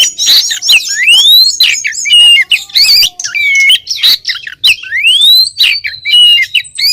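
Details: Female Oriental magpie-robin calling for the male, used as a lure: loud, near-continuous varied phrases with two long rising whistled sweeps, level piping notes and clipped chatter in between.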